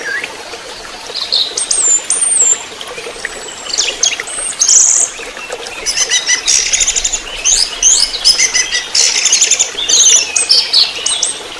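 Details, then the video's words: Orange-headed thrush delivering fast trotol song as a lure recording for training birds: thin high whistles at first, then dense runs of sharp, chattering notes repeated rapidly over several seconds. "Pancingan Masteran Anis merah TROTOL"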